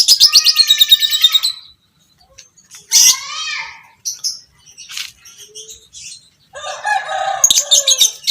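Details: Caged fighter lovebird, creamino colour form, giving the long 'ngekek' chatter used as a master recording to train other lovebirds: rapid, harsh, buzzy chattering in three bursts separated by short pauses and scattered chirps, the last burst loud and dense.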